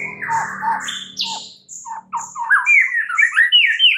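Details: Morning singing of a white-rumped shama to coax a reluctant bird into song: a harsh, buzzy opening phrase gives way to a fast, varied chatter of bright whistles and slurred notes.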